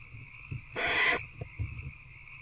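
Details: A single drawn-out breathy screech lasting about half a second, from barn owls in Owl Box C at night on 19 February 2024 as an adult feeds an older owlet, set against a steady drone and soft taps.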